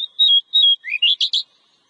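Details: Oriental magpie-robin singing a clear, high whistled phrase: two level notes, then a quick rising run of bright, sweet chirps. Played as therapy audio to encourage magpie-robins to sing.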